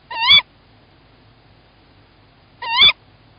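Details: Tawny owl at a nest in Estonia on 1 April 2018 around 20:31, with one egg still in the nest. The male calls while the female goes outside. Two short, sharp, harsh calls come about two and a half seconds apart over quiet background.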